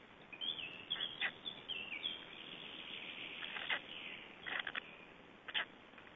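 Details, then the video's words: Estonian black storks at a feeding, 21 May 2012. Thin, wavering whistled notes open the sequence, then scratchy wheezing bursts follow in small groups over a hissy background. "Estonian Black Storks - Feedings-1"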